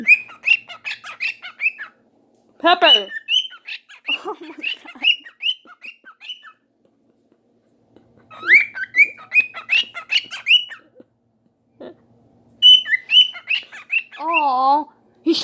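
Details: A pet cockatiel on July 7, 2019 gives loud bursts of bright, chirping whistles; its owner suspects it is calling out to a neighbour's cockatiel outside.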